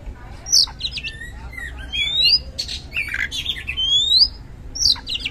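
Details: Oriental magpie-robin used as a lure for lazy kacer: harsh squawking notes mixed with long rising whistles and scratchy chatter, moderately loud.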